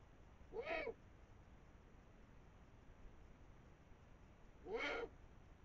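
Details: Eurasian eagle-owls, a female and a male, above the Moselle valley at 5 am on 21 March 2022 while eating a brown rat; two short, harsh, rasping calls about four seconds apart, faint against steady background hiss.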